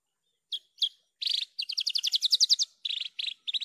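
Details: Javan bush lark singing lively in a clear recording: two sharp upslurred chirps, a buzzy note, then a fast even trill of rising notes ending in grouped rasps.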